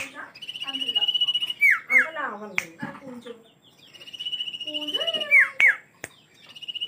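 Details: Common iora singing: a long, high, pulsed trill, then clear downslurred whistles and lower sliding notes, with sharp clicks. The pattern repeats in a second phrase.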